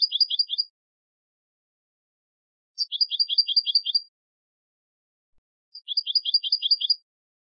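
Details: Turkish goldfinch singing, Istanbul, Turkey; three separate bursts of fast, high, jingling two-tone twitter, each roughly a second long and spaced about three seconds apart, with clean silence between.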